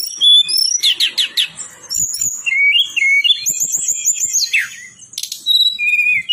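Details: Lure song of a tledekan gunung, a mountain songbird, for training other birds: fast shifting high whistles, buzzy chirps and rolling trills strung together with short pauses, some notes sweeping down, with a few faint clicks underneath.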